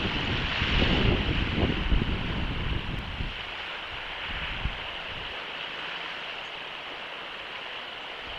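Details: Rushing wind and surf-like noise, loud at first and then settling into a steady hiss, with no animal voices.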